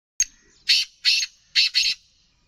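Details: Black francolin, the Sindhi kala teetar, calling in a harsh, grating burst of five loud rasping notes. A thin squeak comes first, then the notes arrive in pairs at a brisk pace over about two seconds against a quiet background.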